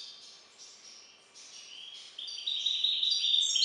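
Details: Captive-bred European goldfinch hybrid (bastard), song variant IV: soft high twittering building into louder, rapid buzzy and whistled trills, repeated several times a second.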